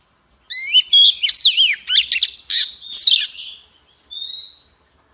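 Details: Oriental magpie-robin, a female whose singing is meant to set males singing, delivers a burst of sharp, looping whistled phrases that fades into two long, thin, drawn-out whistles.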